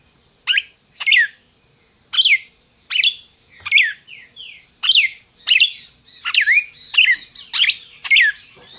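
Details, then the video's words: Captive red-crested cardinal kept by a licensed breeder in Brazil, singing: a lively run of sharp, swept whistled notes about twice a second, some rising, some falling, growing busier toward the end. "Cardeal MAQUINA chamando e cantando"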